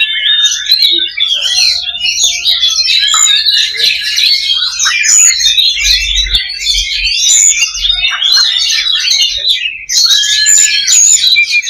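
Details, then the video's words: Many Oriental magpie-robins (kacer) singing together in a fighting simulation meant to raise fighting spirit: dense, overlapping, loud whistled and chattering phrases, continuous throughout, with faint low rumbling underneath. "SIMULASI LOBA BURUNG KACER || MENAIKAN MENTAL TARUNG / FIGHTER"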